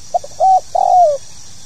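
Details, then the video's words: Spotted dove (tekukur) 'pokal tanggung' call used to set new birds singing: two tiny soft notes, a steady held coo, then a longer throbbing coo gliding down; constant high hiss underneath. "SUARA PANGGILAN BURUNG TEKUKUR POKAL TANGGUNG"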